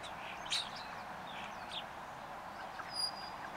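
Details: A starling perched on a power line chatters a quick jumble of squeaky clicks, buzzy chirps and a thin high whistle, over a steady background hiss.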